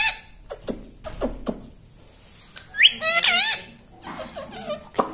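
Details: Talking parrot at home: scattered clicks and soft sounds, then a loud, buzzy, wavering run of speech-like notes lasting under a second, followed by quieter murmurs.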